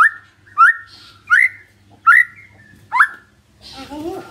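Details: White-rumped shama lure song: five loud rising whistles spaced about every 0.7 seconds, lower in pitch, followed by faint chatter.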